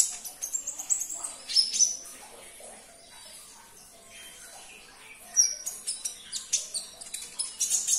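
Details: Sunbird song used to prompt a silent caged sunbird to answer: thin, very high chirps and sharp whistled notes in fast scattered bursts, a quieter lull midway, then dense twittering resumes.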